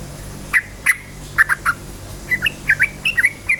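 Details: Energetic yellow-vented bulbul song used as a lure for other bulbuls: spaced sharp chirps, then a quicker series of short bubbly, rising and falling notes in pairs.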